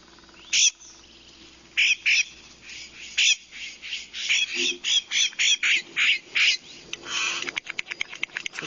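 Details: Woodhouse's Scrub-Jay of the Texas Hill Country, a scrubby-wildlands bird moving individually or in noisy family groups, giving harsh, raspy jay calls in a quick run of about eight notes, then a burst of rapid dry clicks; faint hum underneath.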